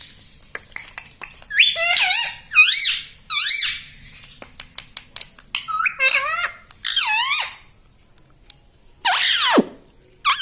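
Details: Talking pet parrot indoors, mimicking words such as "mitthu" and "mummy": several bright, bending, rising-then-falling syllables in spaced groups, ending in a harsh descending squawk, with soft clicks and a quiet room background.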